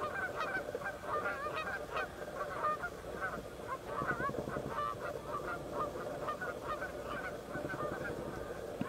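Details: Fighting Canada geese being separated by three other geese and two loons; sustained clamour of short honks and squawks from several birds, with faint low splashing beneath.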